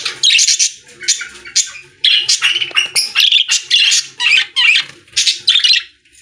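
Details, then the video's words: Many budgies in a pet store: nonstop chattering of quick scratchy chirps and short squawks in uneven pulses. "Budgies singing in Pet Store | Parakeet Sounds"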